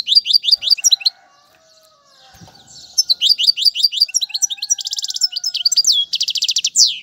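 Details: Goldfinch song for teaching young birds. A short twitter burst, a quiet gap with faint low hum, then a long run of rapid chirps and buzzy rattles repeated almost three times a second.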